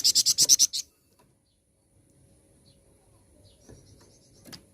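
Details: Flowerpecker song played as a lure to get other birds singing: a quick run of seven loud, high, clipped chips in under a second, followed by near silence with faint distant chirps and a soft click.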